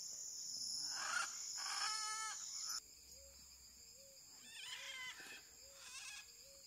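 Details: Blue-throated macaw, a critically endangered parrot, where fledglings have flown from artificial nest boxes: loud harsh squawks with stacked harmonics in two bursts early on, then quieter rough notes, over steady insect buzzing and short repeated low whistles.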